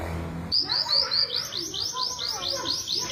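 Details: Javan bush lark in vigorous song: a fast run of about a dozen high slurred notes, each sweeping downward, repeated evenly after a short low rumble at the start.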